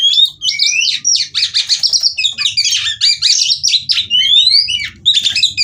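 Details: Oriental magpie-robin hen kept at a Cirebon breeding farm, Indonesia, calling in ngobra display to stimulate males; busy high chattering phrases mixed with clear rising whistles, continuous for the whole stretch over a faint low hum.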